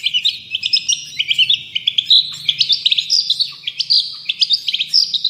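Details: Long-tailed shrike singing energetically for songbird tutoring: a busy stream of short high chirps and upward-flicked whistles, rising and falling in pitch, packed densely with only brief pauses.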